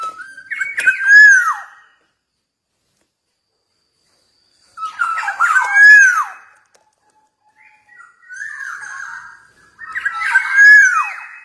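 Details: Black-naped oriole from Java singing vigorously: three fluid whistled phrases, each a liquid warble ending in a loud downslurred note, separated by silent pauses of a few seconds, recorded in a small room.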